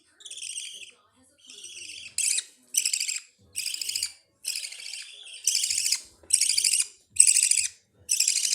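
Budgerigar chicks give harsh, raspy begging calls, repeated in quick bursts and rising in intensity.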